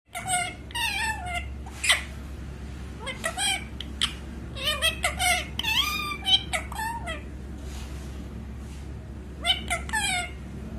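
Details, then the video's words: Parrot talking indoors: clipped, speech-like whistled syllables and squeaky rising-falling notes in short bursts, with a steady low hum underneath. "Cute Parrot talking"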